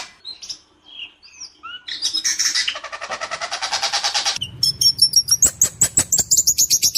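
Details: Caged white-rumped shama singing loudly, clear harsh-voiced song: a few soft whistles, then a dense buzzy rattling burst, followed by rapid repeated sharp high chips and whistled notes.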